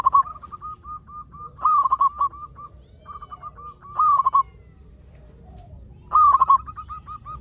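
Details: Local zebra dove singing vigorously as a lure to get other zebra doves to sing: a steady run of soft, evenly spaced coos broken by three loud rolling phrases of rapid stuttering notes.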